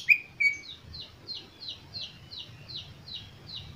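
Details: White-rumped shama song used to stimulate other birds to sing: two loud high whistles, then a faint series of rapid falling chirps repeated about three times a second over low background hum.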